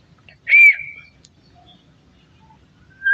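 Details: Parrot eating melon seeds gives a loud whistled call, a bright note near the start that bends and trails off into a level tone, then quiet until a second sharp note begins at the very end.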